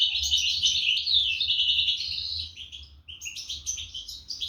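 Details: European goldfinch chicks fed by adult birds in 2023; a continuous run of shrill, wavering begging twitters that tapers off, a short pause, then renewed rapid chirping.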